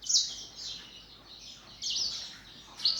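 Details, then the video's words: Caged canaries and black-throated canaries singing in the morning in a breeding flock; loud, high, rolling trills in three bursts separated by quieter twittering. "THĂM CÁC BẠN YẾN HÓT- THẠCH YẾN BUỔI SÁNG"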